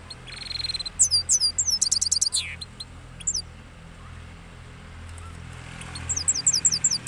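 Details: Rolling song of a cross goldfinch after moult, Parachinar: two bursts of sharp, high chirps and quick trills separated by a quiet stretch with low background hum, the second burst starting near the end.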